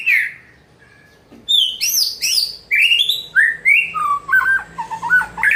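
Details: White-rumped shama singing a challenging song: loud swooping whistles, then a quick series of rising notes and a stuttering run of short clipped notes.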